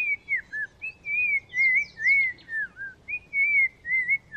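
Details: Black-crowned Tchagra in Kruger National Park, a bird that often hides in low bush branches, seen in good view while calling: a run of clear, slurred whistles rising and falling in quick phrases with short gaps, over faint background hiss.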